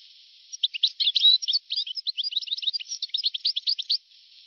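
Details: European goldfinch song from an old 1982–1990 recording: about three and a half seconds of unbroken, rapid tinkling twitter with varied chirps and short whistles, thin in tone over a light hiss.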